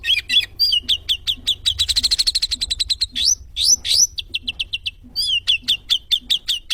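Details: Sooty-headed bulbul song used as tutor material for training birds: high, rapid chirps and sharp trilled runs, a fast stuttering series in the middle, and upward-swept whistles, with a faint low hum beneath.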